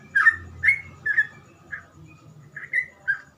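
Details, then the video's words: Trucukan, the sooty-headed bulbul, singing gacor ropel phrases easy to imitate; mellow, slurred whistled notes in uneven bursts, a few louder ones, with steady low rumbling beneath. "burung trucukan gacor ropel cengkok mudah di tiru trucukan bahan"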